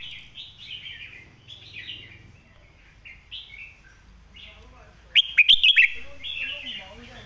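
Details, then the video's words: Red-whiskered bulbul master song for teaching birds: a run of soft warbled, slightly falling whistles, then a loud, rapid cluster of sharp chirps, then more warbling phrases. Low hum underneath. "คมชัดลึก"ดอกสวยๆ สำนวนแม่บท/ไว้สอนนก"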